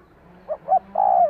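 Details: A single spotted dove phrase for exciting a decoy bird: two brief soft notes, then a longer mellow coo that trails downward, over a faint low drone.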